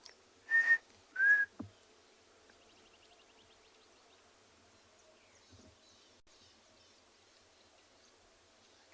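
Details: Brown-crowned Tchagra calling in the morning in a South African game reserve, likely territorial: two loud, clear whistles, the second slightly lower and falling, then quiet with faint distant bird calls.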